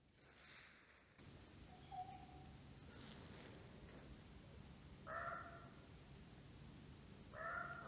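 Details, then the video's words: Winter forest in the Middle Urals with a bird giving a brief thin whistle, then two short harsh harmonic calls near the end, separated by about two seconds, against a soft rumbling background. "Голоса птиц в зимнем лесу"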